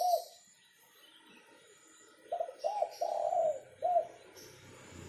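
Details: Local zebra dove (perkutut) giving soft, mellow cooing notes. A short coo is followed after a pause by a series of four rounded, gently rising-and-falling coos, over a faint background hiss.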